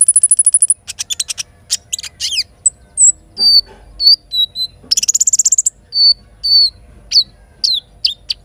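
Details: Morning song of a little spiderhunter (sogok ontong) with kinin fill. It opens with a fast high trill, then gives buzzy chips, short downslurred whistles and another rapid trill midway.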